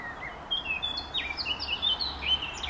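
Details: Eurasian blackcap singing: a quick run of varied high chirps and warbled notes, some rising and some falling, in a steady stream over a soft background hiss.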